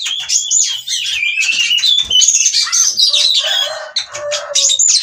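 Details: Breeding-condition oriental magpie-robin, keen to mate, in 'ngobra' mood: fast, jumbled whistling and chattering with rasping notes, packed tightly and varied, with a brief dip in the middle.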